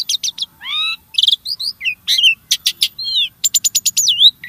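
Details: Starling song used as a lure to prompt caged birds to sing: a fast, varied medley of sharp vertical chips, rising and falling whistled slurs and buzzy notes, delivered in dense bursts with brief gaps.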